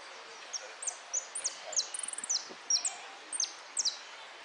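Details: European goldfinch in a singing contest on 03 02 13, repique song: a lively string of high, sharply falling whistled notes with a brief rapid buzzy trill in the middle, steady hiss behind.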